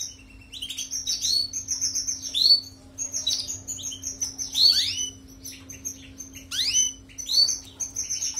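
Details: Clear European goldfinch song intended for training canaries: sharp high twitters interspersed with several swooping downward-slurred notes and short trills, phrases separated by brief pauses; a faint constant hum is audible.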